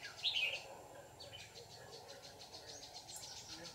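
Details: Red-whiskered bulbul (white-cheeked form) recorded while being trapped with a lure bird early in the season, 18 June 2019; a bright, quick warbled phrase opens, followed by many faint high chirps and rustling background.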